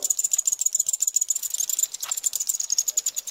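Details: Eurasian wryneck chicks being fed, Pribytki, Russia, 2 July 2018, give a harsh, high, buzzy rasping, pulsing rapidly about three to four times a second without pause.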